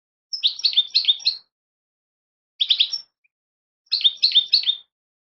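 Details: European goldfinch fledglings calling: bursts of bright, high twittering chirps in clusters of four or five notes, roughly one second long, separated by short silences.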